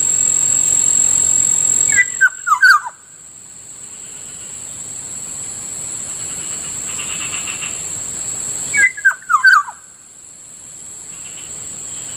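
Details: Morning calls of a Kilyawan, or black-naped oriole, near a rice field: two brief phrases of quick descending whistles about seven seconds apart, with a constant shrill insect hum behind them.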